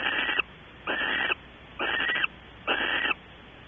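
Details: Barn owl on a nest box webcam at Audubon Starr Ranch, California, in the evening around mating. Four loud, harsh, hissing screeches, each close to half a second, follow one another at intervals of about a second.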